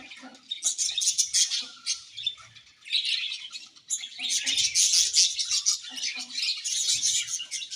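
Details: Budgerigars in a happy colony, sharp high chirps and warbles that thin out briefly around three seconds, then swell into louder, denser twittering from many birds.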